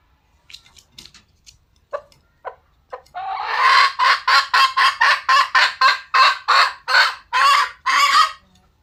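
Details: Wild red junglefowl: scattered soft clucks, then a drawn-out rising note opening into a long, loud series of coarse, rasping cackles repeated roughly twice a second.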